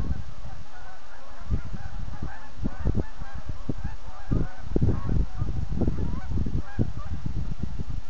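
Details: Huge autumn flock of geese leaving the Rideau Waterway south of Manotick, a continuous chorus of many honks layered over steady low rumble from the departing birds.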